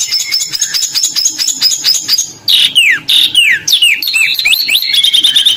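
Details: Competition Oriental magpie-robin singing isian filler phrases while hung with rival birds: loud varied whistles, sharp downward-slurred notes and quick twittering phrases, with other birds faintly behind.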